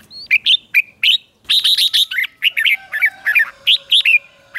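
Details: Red-whiskered bulbul morning ché song for training birds: rapid clusters of chirpy, warbled notes rising and falling, delivered in quick succession over a faint low hum.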